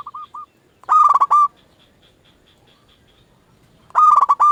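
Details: Singing local zebra dove, used to provoke other doves into calling back: soft short coos open, then two loud rolling phrases of stuttered notes about three seconds apart in a quiet setting.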